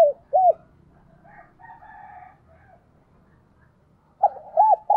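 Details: Spotted dove used as a decoy: two arched low coos open, soft faint sounds follow in the middle, and a fresh cooing phrase of stuttered and looped notes starts near the end.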